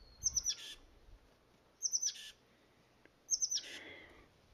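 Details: Oak titmouse calling from a valley oak: high rapid notes, three or four in a string, ending in a scratchy buzzing chatter, given three times about 1.5 seconds apart, with a faint low rumble early on.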